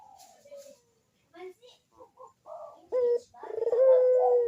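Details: Turtle dove cooing, a lure recording meant to prompt birds that are reluctant to sing; short low coos followed by a long, steady, droning coo near the end, heard indoors.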